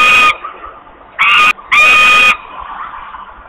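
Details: Hungry osprey at a Polish nest, screaming for food in August 2021: one short harsh scream, a brief pause, then a clipped scream and a longer strained one.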